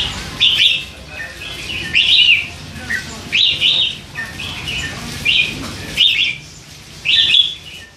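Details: Three-month-old hand-reared red-whiskered bulbul chattering softly; a run of brief warbling, twittering phrases, some doubled, coming every second or so, with a low background hum.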